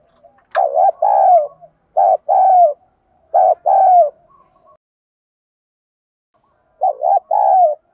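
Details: Spotted dove calling coo, 'giọng đồng' voice, used to train decoys: four low two-part phrases, each a short dipping note followed by a longer falling coo, with a pause before the last one.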